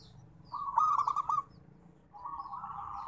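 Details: Perkutut, the zebra dove, local type: one quick rolling coo phrase of rapid beaded notes lasting under a second, then a quieter smoother purr fading in, with low background hum.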